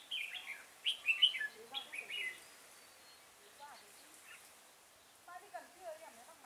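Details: Red-whiskered bulbul recorded at Chùa Hương, Vietnam, 5 March 2018, during decoy trapping: rapid warbled whistles in a busy opening burst, then scattered softer chirps and lower twittering notes from more birds.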